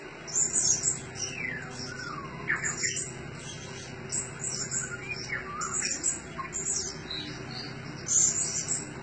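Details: Blue-crowned hanging parrot kept as a decoy bird, giving very high, thin, sharp chirps in short bursts every second or so, over a steady low hum with faint descending sweeps.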